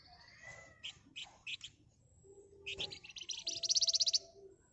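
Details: Agitated flamboyan bird in dense ngebren song, used to provoke other birds: scattered sharp high chips and a lower whistled slur, building into a rapid high buzzy trill near the end, over low background rumble.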